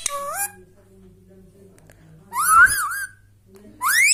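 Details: Indian ringneck parrot kept as a pet, giving clear whistled notes that rise and waver, in three bursts over four seconds, with a faint low hum behind and quiet indoor background.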